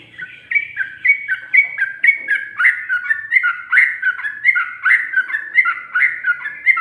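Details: Sooty-headed bulbul singing in the rapid 'ropel' style with 'ngikluk' and 'ngGARUDA' variations: a fast string of bright whistled notes dropping and rising between two pitches, about one per second, clean and loud.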